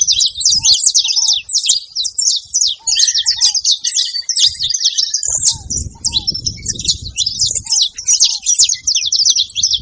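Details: At a bait site, saffron finches pour out busy, high-pitched twittering without pause, joined by paired low slurred notes, a brief rapid mid-pitched trill, and some low rumbling background noise.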